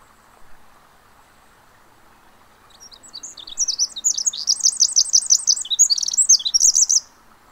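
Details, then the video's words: Pacific wren at Mamquam Spawning Channels, singing a rapid, very high tumbling series of tinkling trills and warbles that runs for about four seconds without pause, over a faint low background hum. "Pacific Wren"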